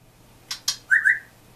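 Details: Pet parrot calling the household dog, which it does when bored and wanting company: two sharp clicks followed by two short, clear whistled notes, the second slightly higher, in a quiet indoor room.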